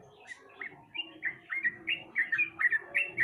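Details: Sooty-headed bulbul song used as a lure to make a bird that is reluctant to sing start singing: a quick run of bright chirped notes, each slurring up and down, repeated about three per second over a low steady hum.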